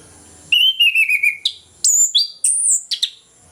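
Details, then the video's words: Orange-headed thrush in ngeplong-style morning song, used to bring lazy or moulting thrushes into song: a long gently falling whistle over fast stuttering chips, followed by piercing high whistled notes and short trills. "ANIS KEMBANG NGEPLONG PAGI, PANCINGAN AK MALAS BUNYI AGAR GACOR"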